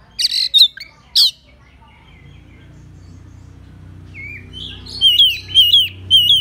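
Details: Oriental magpie-robin singing to lure rivals: a few harsh scratchy bursts, a quiet gap with low hum, then loud looping whistled notes repeated about once a second.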